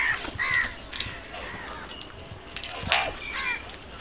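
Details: Crows calling outdoors: a few short, harsh, nasal caws with downward-bending harmonics, loudest near the start and again around the third second, over a faint background hiss.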